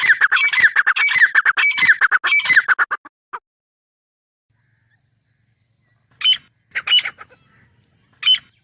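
Grey francolin: a rapid three-second burst of harsh, squawky notes, then a pause and three loud, sharp, high calls.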